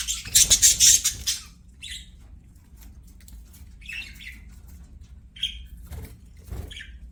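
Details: Budgerigars at play open with a loud, raspy burst of fast chatter, then fall to scattered short chirps and squeaky single notes with quiet gaps between.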